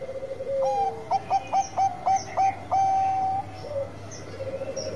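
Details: Bangkok perkutut, a zebra dove, producing seven evenly spaced staccato coo notes followed by one longer level note, then a short quieter phrase and faint background cooing.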